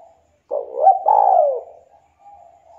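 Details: Local Javanese spotted dove, a very active singer with a melodious, sharp voice, used to prompt reluctant doves to sing: a rising mellow coo-coo phrase, then a long, gently falling hollow note and a soft trailing tail; otherwise quiet.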